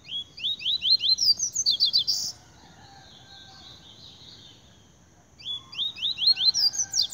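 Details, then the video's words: A spirited double-collared seedeater singing a lot: fast bursts of sharp, rising chirps and trills, two phrases separated by a three-second pause with a softer, lower warble between. "Papa capim Tui Tui de muita fibra cantando muito"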